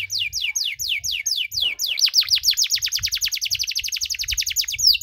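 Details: Canary singing long-duration cengkok song to goad other canaries: evenly spaced falling whistled sweeps, then a faster string of deep swooping notes rolling on without pause.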